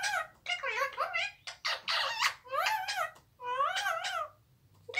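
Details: A pet Indian ringneck parakeet chatters indoors in a run of harsh, speech-like squawks and warbled phrases, about six bursts in five seconds, with brief pauses between them.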